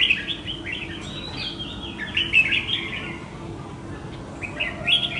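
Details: Red-whiskered bulbul that escaped and flew back home to fight a caged decoy bird, giving bright chirps and short warbled phrases, loudest at the start and near the end, over steady low hum and nearby people talking.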